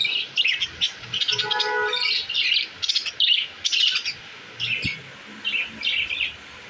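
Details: Caged budgerigars, described as happy in a new cage, keep up a busy, continuous warbling chatter of scratchy chirps and squeaky notes in short overlapping bursts throughout.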